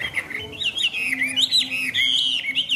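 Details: Short burst of song from a caged, tame Chinese hwamei: high, sliding whistles flowing into one another, with a low steady hum underneath.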